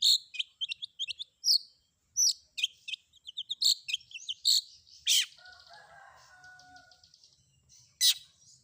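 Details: Long-tailed shrike in a combination fill-in training recording meant to make other shrikes answer: a varied run of sharp high chirps and short whistled notes, with a brief lower warbling phrase midway.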